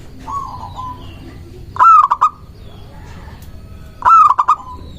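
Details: Local zebra dove in full song, used to lure doves and provoke rivals into answering. Two loud cooing phrases come about two seconds apart, each a bright opening note followed by quick stuttered notes. A fainter, softer coo opens the recording over low background hum.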